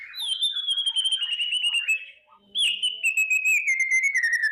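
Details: Two long, gently falling trilled whistles with bright overtones from a white-rumped shama singing a morning kretekan, used to boost emotion and fighting spirit, separated by a brief quiet break.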